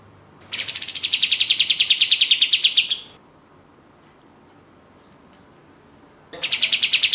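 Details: Orange-spotted bulbul (katem) in lively gacor form, a lure recording for songbird contests: a rapid rattling series of sharp, high notes, about seven per second for two and a half seconds, falling slightly, then a pause before another burst begins.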